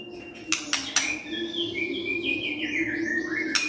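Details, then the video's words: White-rumped shama morning song used as a lure to make a quiet bird answer: soft whistled notes gliding down and up over a steady low hum, with a few sharp clicks. "Pancingan PAGI-PAGI AGAR MURAI GACOR❗ murai diam pasti ikut NYAUT❗❗"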